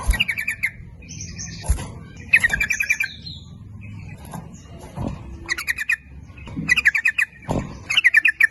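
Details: Lure recording of a sooty-headed bulbul, used to attract males and females, in the 'nguplik ropel' style: repeated quick gurgling phrases, some rising and some falling, with brief higher chirps and low background noise.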